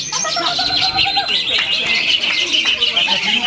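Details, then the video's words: Greater green leafbird (cucak hijau) competing in a singing contest in Semarang, Indonesia: a dense, unbroken stream of rapid high chirps, trills and thin whistles, with other contest birds and faint voices mixed in. "Cucak Hijau Palestine Goyang Kota Semarang"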